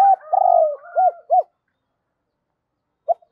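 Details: Spotted dove cooing, 'giọng thổ' voice, to provoke a decoy bird: a long wavering low coo followed by two arched coos, a silence of about one and a half seconds, then one more short note.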